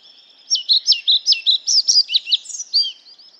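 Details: Loud, clean song of a European pied flycatcher: a steady run of high, see-sawing paired notes, about a dozen in under three seconds, closing with a short slurred twitter.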